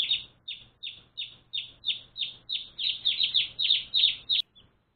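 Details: Newly adopted one-day-old pet chicks giving steady, shrill, falling peeps, around a dozen evenly spaced, then bunching into a quicker cluster before stopping abruptly.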